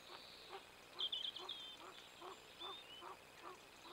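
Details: Mallard at 06:51 on 7 March 2021, with a pheasant present, gives a steady run of short, soft nasal quacks about every half second, with a brief burst of high chirping from another bird early on.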